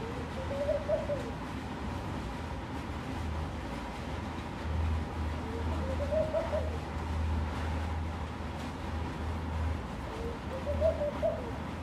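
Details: Laughing dove at a room window: three soft, low, bubbling cooing phrases about five seconds apart, over steady traffic rumble and background noise.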